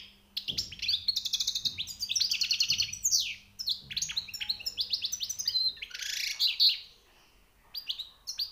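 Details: Newly caught European goldfinch in song with high notes, fast liquid twittering trills and buzzy chirps run together for about five seconds, then scattered calls; a low hum is audible at first.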